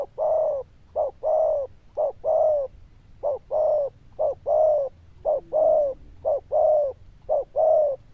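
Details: Zebra dove, a loud 'đồng chuông' bell-voiced singer with good coo rounds. Regular pairs of a short clipped coo and a longer sliding coo roll on evenly for about eight seconds.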